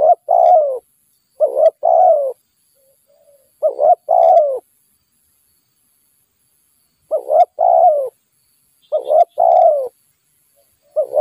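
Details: Spotted dove, a wild bird lured during trapping, cooing in repeated two-part phrases. Each phrase is a brief throaty note and then a drawn-out falling coo, coming in bursts with silent pauses and faint low coos between them.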